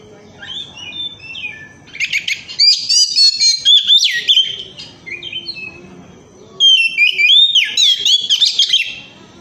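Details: Oriental magpie-robin in 'ngemplong' style, a lure to make other birds sing: soft whistles, then two loud, dense bursts of tumbling, rising and falling whistled phrases with a quieter spell between.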